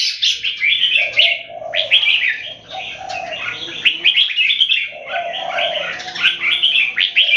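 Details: Singapore-raised red-whiskered bulbuls in a caged singing contest, an open-tail keke against a long, loud keke. Bright, rapid warbled phrases of short chirps and slurred notes in quick bursts, with a steady lower tonal band underneath.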